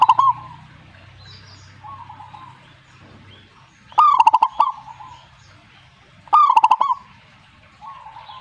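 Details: Zebra dove singing: ringing phrases of rapid stuttered coos with a drawn-out ending, about every two and a half seconds. Softer cooing from a second dove sounds between them.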